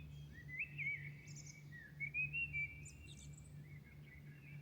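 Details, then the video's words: Birdsong at dawn in Milan: long whistled warbling lines with pulsed emphatic notes, brief high twitters later on, and a low steady humming background. "Singing night Milano birds at dawn"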